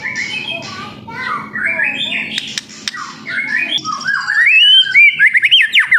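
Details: Young speckled white-rumped shama singing, used to prompt other birds to sing. A varied run of squawky, buzzy phrases over low murmuring background noise gives way to clear, looping whistled notes that rise and fall rapidly near the end.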